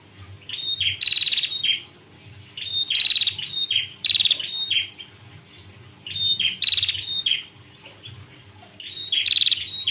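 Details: A female prinia sings loud, high, chirpy bursts of several quick downslurred notes, each burst lasting about a second with brief gaps between, over a faint low hum.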